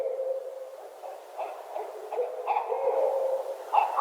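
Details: Two Barred Owls in winter call back and forth, by day or in evening light, mixing both call types in a mid-pitched jumble of hoots, cackles and wavering wails that is uneven in pace and rises in intensity: a duet.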